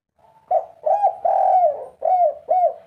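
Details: Agitated spotted dove in three-note cooing style, calling vigorously: a faint low lead-in, then loud mellow hooting coos, each arching and falling, about five in quick, uneven succession with a longer drawn middle note.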